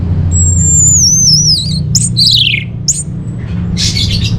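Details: Orange-headed thrush song used as a lure and master song for caged birds: a long, clear, high whistle rising and falling, followed by sharp descending slurred notes and a burst of rough, scratchy chatter.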